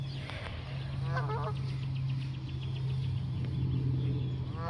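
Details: Geese honking as they take flight when chased: several rough, nasal honks with rich stacked overtones come in short clusters at the start, middle and end, backed by a constant low droning hum.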